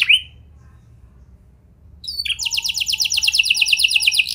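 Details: Canary song used to coax other canaries into singing: a short upslurred chirp, about two seconds of quiet, then a loud rapid rolling trill with a steady low hum underneath.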